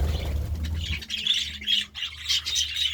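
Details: Short burst of morning budgerigar chirping: several high, squeaky chirps in quick succession after a low rumble at the start.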